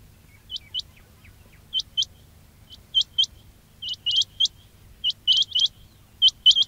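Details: Quail call played to lure birds for trapping. Quieter paired and tripled high flicking notes come at irregular gaps, growing denser toward the end, with a steady low background hum.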